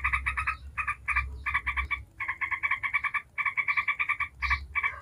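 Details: 'Ngebren' song of a yellow-vented bulbul, played as a lure: bursts of rapid, chattering notes in runs of four to eight, separated by short gaps, with a few higher squeaky notes.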